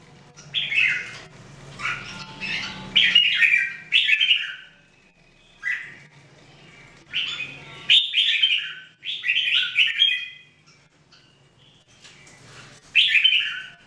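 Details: Three Red-whiskered Bulbuls, known locally as jambul, in daily singing training recorded in 2018: bright whistled phrases, fluttering and slightly buzzy, in short bursts separated by pauses of a second or two, with a low hum underneath.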